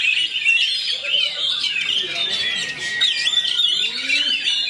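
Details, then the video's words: Oriental magpie-robin (kacer), fighter type, singing in a fast, tight rolling style: dense, continuous whistled and chattering phrases, high and busy, sweeping up and down without pause, with a faint low murmur beneath. "KACER ROLL SPEED RAPAT"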